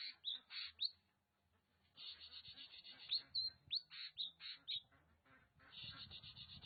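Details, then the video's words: Oriental magpie-robin, known locally as kacer, singing in Nagan Raya, Aceh. Quick bright notes mix with sharp upslurred whistles in a fast, varied sequence, nearly four notes per second, after a short pause early on. "Kacer Nagan Raya Aceh (Copsychus saularis)"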